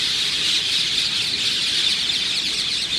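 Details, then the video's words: A dense, unbroken early-morning chorus of harsh, high screeching calls from many roosting parakeets near Ramsgate railway station on the Isle of Thanet, England, with no pauses or other clear sounds. "Noisy Parakeets"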